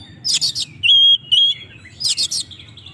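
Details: Kacer, the Oriental magpie-robin, in lively song meant to provoke rivals: two harsh buzzy chattering bursts framing a pair of long, pure, steady whistles, with a faint low rumble throughout.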